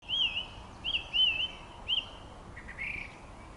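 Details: Song thrush singing on 24 June 2013, a few short clear looping whistled phrases at even pitch separated by brief gaps, over steady background hiss.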